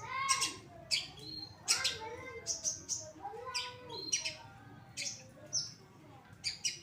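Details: Long-tailed shrike of the pastol type singing vigorously: loud harsh bursts with stacked overtones alternate with sharp high notes and lower curving tones, about two phrases per second, over a faint background hiss.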